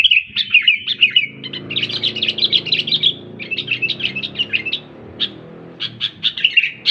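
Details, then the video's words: Sooty-headed bulbul giving rapid, bubbly chirped phrases in bursts with short pauses, over a faint low hum in the background. "BURUNG KUTILANG SUPER GACOR"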